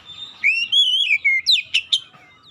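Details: Oriental magpie-robin singing a lure song for stirring other birds to sing: a long rising whistle held and then sliding down, followed by quick sharp downward chips.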